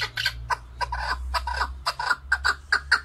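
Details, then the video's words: Chukar partridge (keklik) giving irregular, softer chuck notes that come closer together toward the end, over a steady low-pitched hum. "Голос Куропатка как поёт Горная Куропатка Кеклик"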